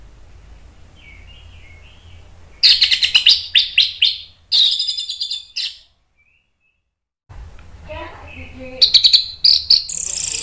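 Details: Orange-headed thrush song to provoke answering thrushes: loud bursts of rapid high dry chips and buzzy notes, a silent gap, then more chipping with faint soft warbles.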